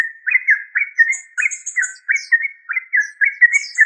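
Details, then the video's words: Steady run of liquid, bouncy notes from a yellow-vented bulbul, each burst a quick slurred pair repeated without pause, with faint high squeaks overhead. "Yellow Vanted bulbul trucuk"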